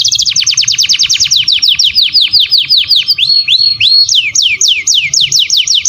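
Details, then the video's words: Canary master song used for training other canaries: a fast steady trill of high downward-sweeping notes, about seven per second, briefly shifting to slower rising slurred notes before the rapid trill resumes, with faint low background hum. "Masteran burung kenari"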